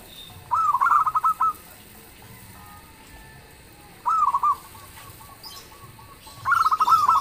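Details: Zebra dove of a local strain in full loud song that sets other birds answering; three phrases of quick, throbbing coos, one short, arrive at uneven gaps over seven seconds against a quiet background.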